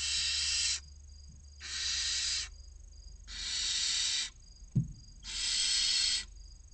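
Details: Six barn owl nestlings, 16 to 29 days old, waiting to be fed at the nest box entrance in Cabañeros National Park, Spain, give four rasping, steam-like hisses, each nearly a second long, with one brief knock between.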